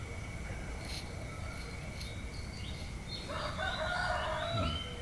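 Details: Rooster crowing in the early morning while the sky is still dark, with cool winter air: a harsh crow starting about two-thirds of the way in and cut off at the end, over steady low rumble and faint small-bird chirps.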